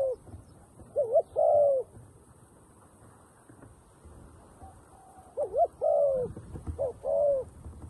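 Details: Caged decoy dove calling wild doves down near a trap. It gives two cooing phrases about four seconds apart. Each phrase has quick wavering double notes followed by a long, smooth, low hoot over faint rustling.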